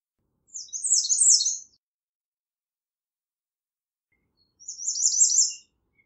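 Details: Two high-pitched American redstart song phrases, each a fast chain of sharp, wavering notes about a second long, the second phrase slightly simpler, with a long quiet gap between them.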